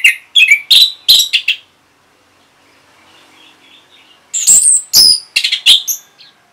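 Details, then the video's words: Orange-headed thrush answering a lure sound with bursts of varied high chirps and whistled notes, a brief quiet pause, then another rapid, jumbled phrase. "Reaksi ANIS MERAH Saat Dipancing Suara Ini !! Langsung Nyaut"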